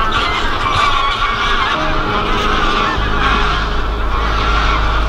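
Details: Geese in December snow along the Kromme Rijn in the Netherlands, giving overlapping honking calls through the whole stretch, with a steady low rumble underneath.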